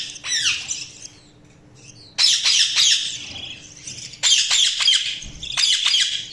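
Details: Budgerigars chirping: a descending whistled note followed by repeated loud bursts of scratchy, rapid, high chatter with brief quiet gaps, and a constant low hum in the background.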